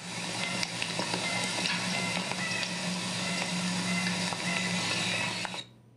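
A steady sizzling hiss over a low electrical hum, with no animal voice, ending abruptly in near silence.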